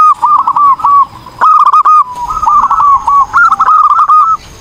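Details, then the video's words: Energetic zebra dove song, staccato rippling coos delivered in about four quick phrases, each a tight run of bouncy notes, separated by brief gaps. "PERKUTUT GACOR || COCOK UNTUK MASTERAN || SUARA BURUNG PERKUTUT"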